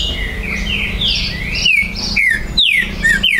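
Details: Green-winged saltator (trinca-ferro) from an amateur breeder's premises, recorded 19 September 2020, a territorial bird whose singing rouses rivals. Softer overlapping warbles, then four loud, clear, down-slurred whistled notes in quick succession.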